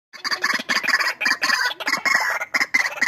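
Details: White-breasted waterhens in a fighting duel: loud, harsh, clucking bursts repeated rapidly in broken, uneven runs, each note rough and broadband, with brief gaps between volleys.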